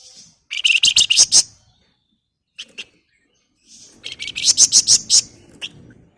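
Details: Female flamboyan calling to a male: two bursts of rapid, harsh, buzzy chattering notes, high-pitched and repeated several times a second, separated by a short quiet gap with two brief chips.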